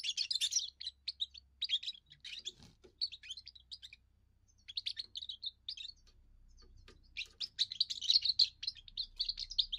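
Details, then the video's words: A young European goldfinch sings its first song to defend territory and attract females; repeated phrases of quick twittering and tinkling notes, with a faint low hum in the background. "first song of a young goldfinch amazing wonderful singing"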